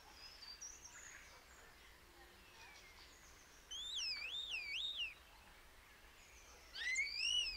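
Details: Common starling whistling clear, wavering looping notes that rise and fall in a rolling pattern, two separate bursts after quieter faint chatter, over light background hiss.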